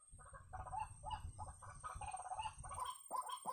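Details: White-breasted waterhen being lured with a caller: a run of hoarse, croaking notes repeated rapidly and unevenly, over a steady low rumbling background.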